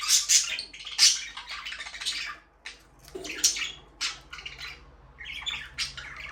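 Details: Pet budgies give sharp, high chirps and brief squawks in irregular bursts, with short quiet pauses and a low background hum.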